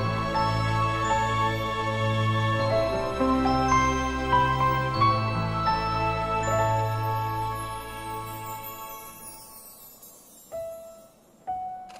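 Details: Soft instrumental music with sustained low tones and tinkling chimes fades out, and no animal voice is heard.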